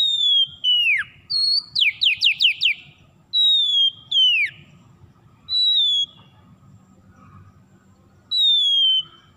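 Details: Oriental magpie-robin (kacer) lure for restarting song in stressed birds: long, slurred whistles mixed with a fast run of five or six sharply falling notes, then spaced, steady whistled phrases.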